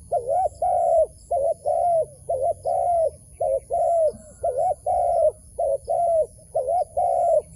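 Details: A wild dove at a trap coos steadily in soft, low, hollow two-part phrases, about one a second, with faint rustling behind.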